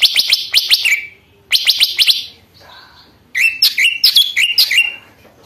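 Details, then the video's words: Lesser green leafbird song used to provoke and train other birds. Three bursts of loud, rapid, high chirps, each ending in a slurred lower whistle, are separated by short quiet gaps with a faint soft note. "cucak ijo mini super gacor, ampuh untuk pancingan emosi burung bahan dan untuk masteran"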